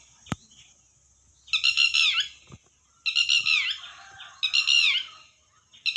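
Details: Red wattlebird uttering grating, rasping squawks, three long bursts roughly 1.4 seconds apart and the start of a fourth, with a sharp click and a thin steady hiss behind.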